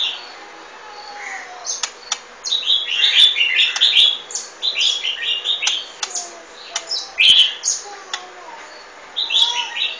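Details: Golden-fronted leafbird giving a varied, fairly soft warbling song of short high chirps and twittering phrases in loose groups over a steady background hiss.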